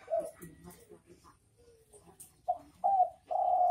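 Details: Spotted dove cooing, a series of low, hollow coo notes that grow longer and louder toward the end, after some softer muffled sounds and a few faint high ticks.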